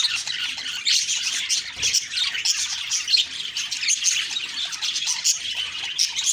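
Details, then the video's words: Budgies chirping in the morning, irregular high twitters and raspy notes, about one distinct burst per second within the ongoing chatter, plus a faint low knock. "Beautiful morning birds chirping sounds/Budgie sounds"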